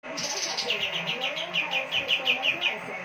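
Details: Kapas tembak in lively gacor singing, used for song tutoring of cage birds: a run of about a dozen sharp, slightly descending chirped notes repeated rapidly at a steady pace, with faint murmuring in the background.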